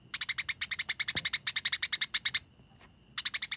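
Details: Eurasian tree sparrows fighting: rapid, dense runs of sharp, dry chirps, about eight per second, in long bursts that break off, then resume after a short silence.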